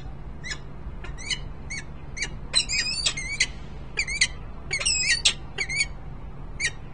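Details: Peregrine falcons, an adult male with leg band 38S and a female, at a nest site in Harrisburg, Pennsylvania, on 10 December 2020. Sharp, harsh, harmonic-rich notes repeat irregularly. Several come in quick double and triple bursts over a steady low hum.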